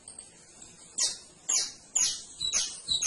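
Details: Canary giving four loud, high, downward-sweeping chirps spaced about half a second apart after a quiet opening second.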